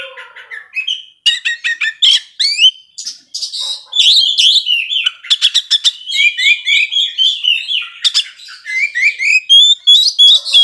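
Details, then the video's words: Oriental magpie-robin giving aggressive provoking song, quick stuttering bursts of harsh notes mixed with bright whistles and sliding phrases, repeated in rapid series. "Kacer gacor ngobra bisa memancing emosi kacer yang lambat emosi"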